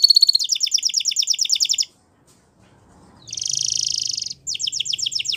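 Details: Timbrado canary song with a fast, bright trill, a short silent pause, then a buzzy rolling trill and quick repeated chirping notes.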